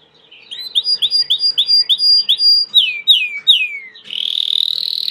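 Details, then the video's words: Belgian canary, domestic, singing a series of rapid upslurred chirps, three long descending whistles, then a dense high buzzy trill. "COMO FAZER SEU CANARIO CANTAR MUITO 20 MINUTOS DE CANTO"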